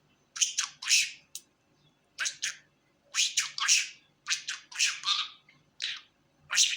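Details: A pet budgerigar, described as happy, gives short harsh squawky bursts in clusters of two or three, with pauses of about half a second between groups.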